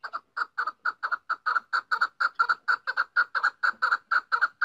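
A female chukar gives a rapid, steady run of hoarse clucking notes, about four a second, mid-pitched and slightly doubled; nothing else is heard.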